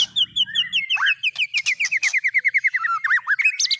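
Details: White-rumped shama fill-in song for teaching cililin, canary and lovebird phrases: a steady run of rapid, slightly wavering whistled notes, with squeaky chips and a few lower swooping notes.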